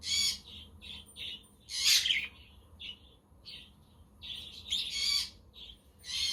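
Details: Pet budgerigars chattering on a windy, sunny day, with a quaker parrot and a conure also calling in the background; busy high warbled chirps in short bursts, broken by a few louder, harsher squawks.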